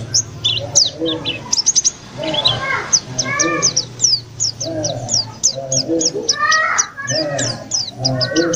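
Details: Caged white-eye bought from a bird trader, at home only three days and already singing persistently: rapid, high, thin twittering chirps in quick bursts throughout, over lower warbling sounds and faint background voices.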